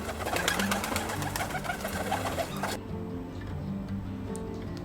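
A pigeon gives low, soft, rolling coos in the second half, after a spoken voice at the start, with faint music in the background.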